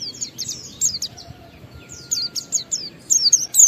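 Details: Oriental white-eye song of the ngalas style, used as a lure to get other white-eyes singing: scattered high, thin whistled slurs and twitters in short bursts with gaps, faint background hum.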